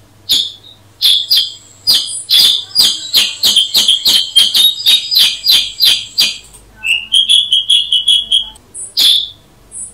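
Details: A long, fast series of crisp, high chirps from a Black-headed Bulbul (Brachypodius atriceps), several per second, shifting near the end into smoother whistled notes and a last sharp call.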